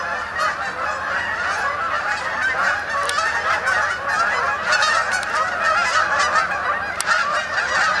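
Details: Canada geese flying in to a pond at Sapsucker Woods, New York, on an autumn evening to spend the night; layered nasal honking that grows fuller and louder toward the end, with sharp higher calls.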